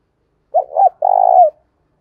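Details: Spotted dove cooing, used to stimulate a newly caught caged dove to call: two quick rounded coos, then a long, loud, buzzy, vibrating coo that falls at the end. No other sounds.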